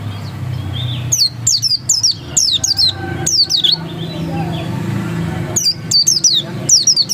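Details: Oriental white-eye (pleci dakun) 'ngotot' song: sharp high descending chirps in two groups separated by a quieter gap with faint soft notes, over low background rumble.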